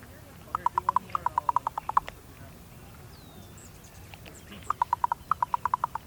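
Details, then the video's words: A female raven communicating with her mate gives two bursts of a dozen or so quick, hollow, wooden knocks, mid-pitched and evenly spaced, with a short quiet pause between them. "Female raven making different sounds"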